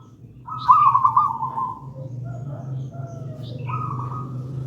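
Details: Singing local zebra dove, gedang rojo type, kept as master song and lure; one long purring trilled coo, then a quieter answering phrase, over a steady low hum.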